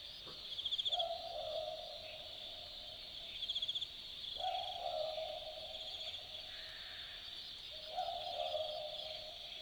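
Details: Australian Boobook calling at night in the Aussie bush of Dharug: three low hooting calls spaced roughly three to four seconds apart, amid loud pulsing cricket trills.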